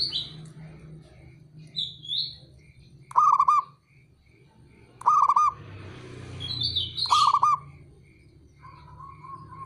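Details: Repeated calling of a local male zebra dove to provoke rivals: three short bursts of rapid, bubbling coo notes about two seconds apart, a soft trailing coo, scattered high chirps, and steady low background hum.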